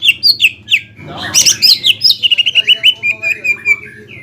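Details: Greater green leafbird song meant to provoke a rival bird: clear whistled notes, a burst of noisy chatter, then a long run of quick, even, slightly falling whistles.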